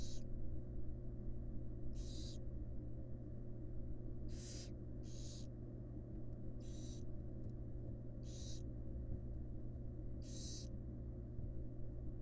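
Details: Female barn owl tending her fledglings in a wild nest box. About eight harsh, airy hissing bursts are spread irregularly through the recording, some in quick pairs, over a continuous low-pitched hum.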